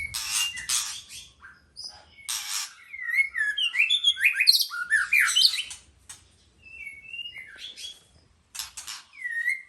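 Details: White-rumped shama song mixing harsh raspy bursts with a rich, rapid run of looping whistles and chatters, then pauses and a few scattered clear whistles and a final downslurred note.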